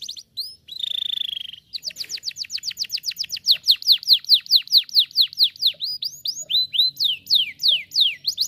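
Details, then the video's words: Canary song used for chirping practice: it opens with a few chirps and a steady buzzy trill, then gives a long run of sharp falling whistles. The notes speed up and slow down, repeating rhythmically. "the best canary sounds for chirping practice"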